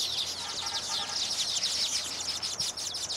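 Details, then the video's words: Baya weavers singing during their mating display once their nests are built, males fluttering both wings while gripping the nests as females inspect them; a dense, continuous high wheezy chatter of many overlapping birds. "Baya Weavers sing and dance after building their nests"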